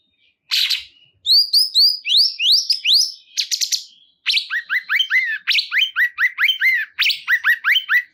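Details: Lively cungkok bulbul song: rising whistled upslurs at first, then a long run of quick, arched chirping notes repeated several times a second in clean silence.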